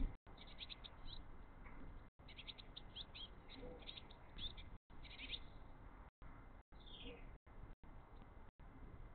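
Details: Three Eurasian blue tit chicks hungry for mini-mealworms, crowding their father as he tries to feed them; high thin rapid chirping in clustered bursts, with a descending squeal near the end and faint broadband background noise.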